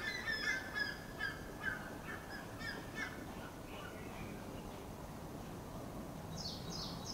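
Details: Red-naped ibis recorded 17 07 23 at Shiv Ngr, giving a quick series of harsh, nasal honking calls over the first three seconds, fading after; a thin higher call near the end, over steady rumbling background noise.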